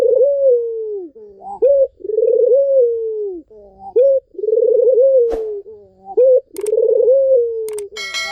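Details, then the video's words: Melodious Barbary dove song meant to set a quiet dove singing again. Paired phrases repeat about every two seconds, each a sharp rising note followed by a long purring, falling coo. Brief clicks and knocks come near the end. "SUARA BURUNG PUTER MERDU"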